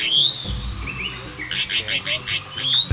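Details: Paradise flycatcher in Sri Lanka gives a strange call from the bush right after flying off: a thin high whistle, then a rapid run of harsh, rasping notes, about five a second. Low background rumble.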